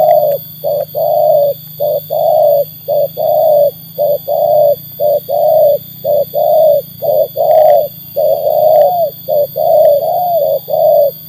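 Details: Trained spotted dove tested against wild birds, cooing steadily: about a dozen short-long paired notes, low and hollow, repeating roughly once a second, with a constant low hum and a steady high tone behind.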